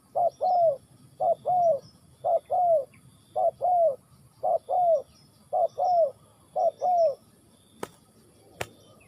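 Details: Steady cooing of a spotted dove in Ninh Thuận: a quick note then a longer descending coo, about once a second, followed by two sharp clicks near the end.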